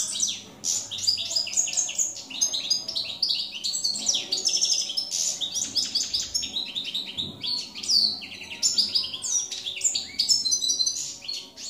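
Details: Field goldfinch (jilguero campero), 2017, delivering an unbroken, lively warble of quick chirps, buzzy trills and bright whistled slurs for nearly twelve seconds; faint low background hum.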